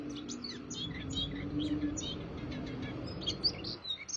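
A white-eye sings a rapid, high twittering stream of short chirps and trills without pause, over a steady low mechanical hum.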